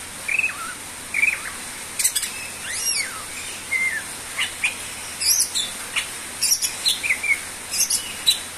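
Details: Greater green leafbird singing vigorously: scattered short whistled notes, some sliding downward, mixed with sharp clicks and brief broadband rustling bursts over a steady high hiss.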